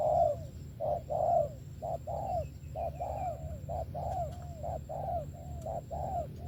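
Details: Spotted dove singing Vietnamese 'thổ' style with 'tàng': a loud opening coo, then a run of softer, evenly spaced hollow coos with slight downward tails, low hum underneath.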